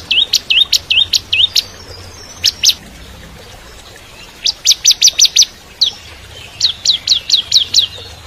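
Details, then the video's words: Bar-winged prinia in full song as shama training material: hooked swooping whistles, a pair of sharp spikes, then a rapid run of six clipped notes and another string of rising hooked whistles. "Masteran Cimblek Kristal Gacor (masteran murai Batu trotol)"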